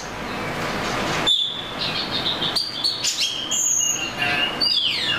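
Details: Oriental magpie-robin song: after a quiet start, varied whistled notes and short warbles come in quick succession, some sliding and some held high.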